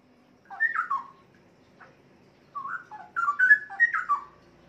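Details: Captive adult male straw-headed bulbul, about 3.5 years old, out of its breeding cage a week after losing its mate and not yet in full song, gives rich, bubbling whistled phrases that tumble up and down: one short burst, then a longer run of liquid notes.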